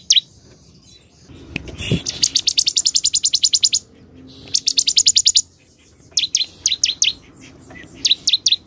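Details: Bar-winged prinia in vigorous song, mixing long fast rattling trills of rapid identical high notes with groups of sharp descending chips; a brief low thump near the start.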